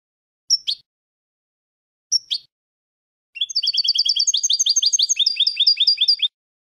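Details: European goldfinch singing, a recording for teaching young birds: two short sharp twittered notes spaced apart, then a long rapid liquid trill of repeated high chirps lasting about three seconds.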